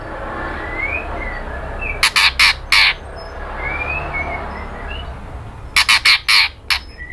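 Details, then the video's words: White-rumped shama female calling to the male, giving soft gliding whistles followed by a rapid string of four loud harsh chattering bursts, repeated after a quieter pause. "SUARA MURAI BATU BETINA MEMANGGIL JANTAN"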